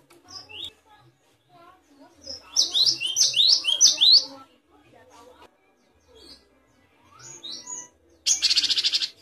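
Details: Great tit used as a tutor recording for songbirds: a rapid run of about six repeated high two-note phrases, scattered soft notes, then a harsh fast-pulsed buzzy churr at the end.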